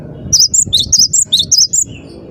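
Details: A cinereous tit in full, lively song gives short high whistled couplets, each pairing a sharp upper note with a lower one, repeated six times in under two seconds over a quiet low rumble.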